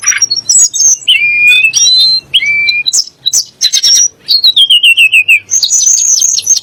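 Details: Sunda blue robin (tledek gunung) song, used to agitate rival magpie-robins and shamas: varied loud whistled phrases, slurred rising and falling notes, and a descending trill of quick repeated notes near the end.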